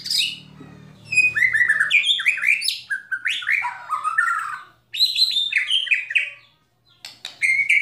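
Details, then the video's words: White-rumped shama in full song among rattling and sharp calls used to provoke other shamas: rich, varied whistled phrases sliding up and down, interspersed with clicks, a short pause, then further bright whistles. "Kretekan Dan Tembakan Murai Batu Memancing Emosi Murai Langsung Gacor"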